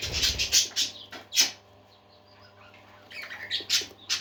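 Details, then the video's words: Parakeets singing: clusters of sharp, high chirps and scratchy notes in short bursts, a quiet pause in the middle, then more bright chirping toward the end. "Happy Parakeets Singing"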